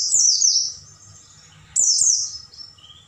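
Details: Night-time Oriental white-eye song used to tutor caged birds: a dense burst of piercing, sliding twitters, a quiet gap, then a second burst ending in a softer thin whistle.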